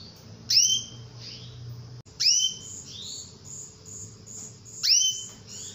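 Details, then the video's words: Female canary calls meant to entice a male to sing: three sharp upswept whistled notes, each followed by a fainter echoing note, spaced a couple of seconds apart, with low hum behind. "SUARA KENARI BETINA MEMANCING JANTAN SUPAYA GACOR"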